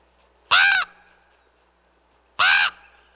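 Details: Two separate hoarse raven calls about two seconds apart, each short, harsh and rich in overtones, with quiet between them.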